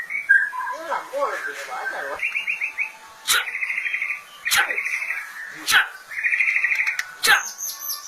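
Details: White-rumped shama singing: rolling warbles at first, then repeated fast buzzy trills, each trill lasting about a second and separated by sharp loud clicks.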